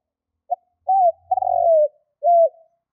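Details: Spotted dove lure call used for hunting: a short clipped note, a bent coo, then a long rolling purr that slides downward, closing with another arched coo. Clean, with no other sounds.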